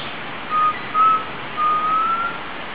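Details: Wild Undulated tinamou (Crypturellus undulatus) in Frutal, Minas Gerais, Brazil, gives three pure, mellow whistles: two short level notes, then a longer one rising slightly at the end, over a steady hiss.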